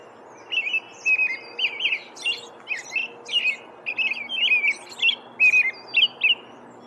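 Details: Carolling American robin: rapid sequence of short whistled phrases that dip and rise, delivered in quick succession with some thin high notes mixed in, over a low background hum.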